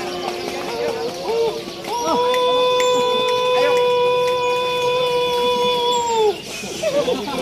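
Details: Pelung rooster among many roosters gathered at a Pelung chicken contest in Temanggung, 2022; one long, steady, tonal crow held for about four seconds, slightly rising at the start and dropping at the end, over crowd chatter and other crowing.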